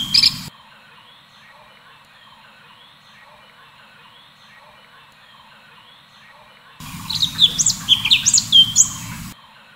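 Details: Orange-bellied leafbird in cucak cungkok full tembakan song: a long quiet stretch, then a burst of rapid, shrill rising and falling whistles near the end, backed by low hum.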